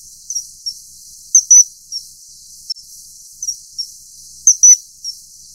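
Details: Common kingfisher (Alcedo atthis) filmed during mating: sharp, high whistled notes repeated irregularly, with a louder piercing double note twice, over a steady background hiss.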